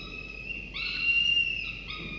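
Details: Falcon chick aged 24–25 days at a nest, one of two being fed prey by the male at morning feeding; a single long whining whistle rises, holds steady and fades, followed by another starting.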